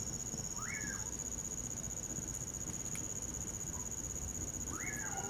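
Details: A common pauraque near a campfire in winter gives two arching whistles about four seconds apart, each swooping up and falling away. A constant high-pitched cricket chorus and sporadic crackling from the fire are also heard.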